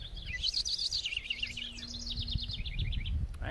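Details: House wren (Troglodytes aedon) gives its rapid, bubbling, excited song, a tumbling run of high chattering notes fading after about two and a half seconds, near a spruce in a park on a small coastal mountain; agitated robins nearby, man murmuring.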